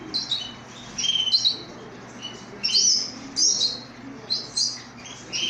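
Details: Young canary chick left orphaned after its mother's death, a pet bird: bright, high-pitched tweets in short clusters, some with twisting upward slurs, separated by brief quiet gaps over low background hum.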